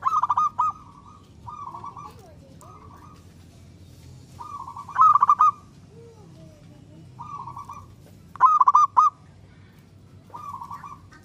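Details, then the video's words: Zebra dove of a local strain singing to stimulate other doves: loud, rapid, burry coo phrases of three or four pulses at about four-second intervals, softer similar phrases between them, over a low hum. "Perkutut lokal gacor suara super ampuh untuk merangsang perkutut cepat bunyi"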